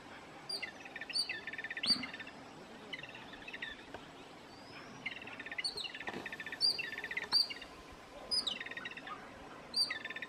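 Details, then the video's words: A noisy group of jungle babblers in India gives harsh, squeaky chattering bursts about every one to two seconds, several birds overlapping, with sharp high squeaks over faint background noise. "Jungle Babblers Bird Call"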